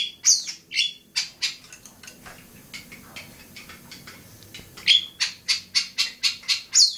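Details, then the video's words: Long-tailed shrike at Bobotsari utters harsh, sharp note bursts. A quieter, noisy middle stretch is followed by a fast series of repeated clipped notes. "kicau burung cendet bobotsari"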